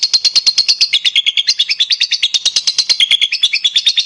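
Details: Lovebird delivering long gacor song as training material for other lovebirds; rapid, regular high chatter with notes stepping up and down in pitch, buzzy and unbroken throughout.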